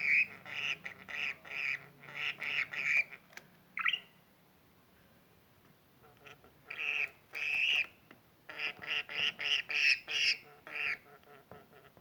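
A budgerigar gives bursts of harsh, nasal squawks in quick runs, broken by short pauses.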